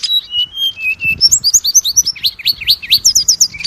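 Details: Oriental magpie-robin lure song for getting kacer to sing: steady mid-pitched whistled notes at first, then a quickening series of high, looping, rising whistles repeated in rapid succession.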